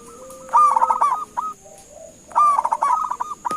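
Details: Zebra dove call from Indonesia, meant to prompt other birds to answer: two phrases of rapid bubbling coos trailing into evenly spaced soft notes, less than two seconds apart, with a quieter low tone between them.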